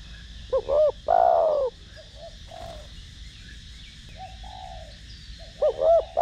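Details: Spotted dove cooing in the 'thổ đồng' voice style, used to stimulate decoy doves: loud paired hooked notes, then a long, full, falling coo, softer distant coos between, and the phrase restarting near the end; faint high chirps of other birds behind.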